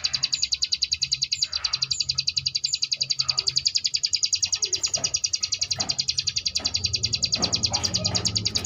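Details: Rapid high buzzing ngebrem variation of a Sunda bush warbler, meant to train contest birds: a steady stream of quick pulses with faint clicks and low background noise growing toward the end.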